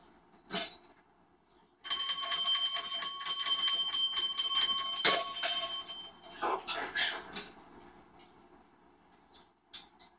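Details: Max, a pet cockatoo standing in the kitchen window, screams at outside birds trying to eat breakfast: a long, harsh, ringing screech lasting several seconds, then a few rasping squawks, with faint chatter in the background.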